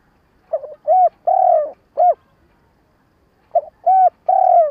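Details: Lure spotted dove with a stuttering call meant to provoke wild doves for trapping: uneven groups of short and drawn-out low coos, some notes arched and clipped, with a pause before a final three-note phrase.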